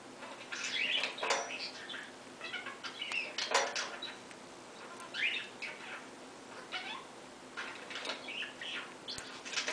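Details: A pet cockatiel gives scattered chirps and short whistled calls, with soft rustling between them.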